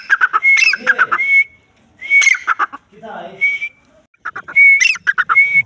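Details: Female grey francolin (Dakhni teetar) voice: bursts of harsh rattling notes interleaved with sharp rising whistles, coming in three bouts separated by brief gaps.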